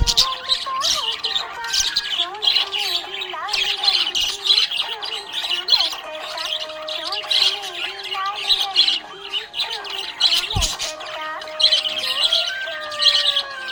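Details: Happy budgerigar chirping: dense, busy chatter of squeaky chirps and short warbles running continuously, with occasional harsh squawks and a click near the end, over steady tonal sounds in the background.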